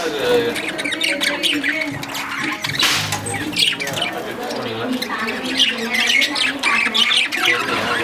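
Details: Lovebirds, a pair, giving dense, continuous chattering: shrill squawks and chirps overlapping with buzzy, harmonic-rich notes that rise and fall, with no pause across the whole stretch.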